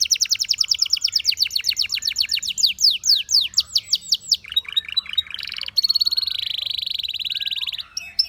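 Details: Belgian canary singing: fast trills of rising sweeps repeated several times a second, then a buzzy flat tour and a long steady high rolled trill.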